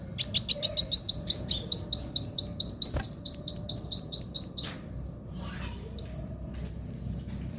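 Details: Sunbird singing: a long run of sharp high repeated chips about twice a second, a short pause, then high looping whistled phrases, faint low hum behind.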